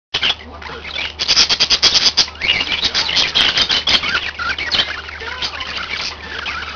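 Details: Several pet budgerigars, kept together indoors, chattering busily: dense, rapid bursts of high scratchy chirps and warbles, with loud, quickly repeated notes early on and a steady low hum underneath.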